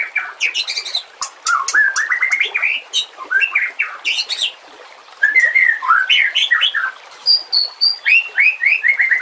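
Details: White-rumped shama singing on a training track for other shamas, with trickling water: rich whistled slurs, rising sweeps and quick chattering trills in dense bursts, a brief pause midway.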